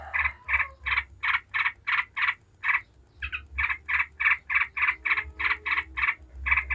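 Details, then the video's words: Yellow-vented bulbul in 'ngebren' chatter, played to provoke other bulbuls into singing. Regular harsh notes about three per second, a brief break near three seconds, then a steady run to the end. "Trucuk ngebren bikin ribut trucuk manapun dijamin langsung nyaut ribut"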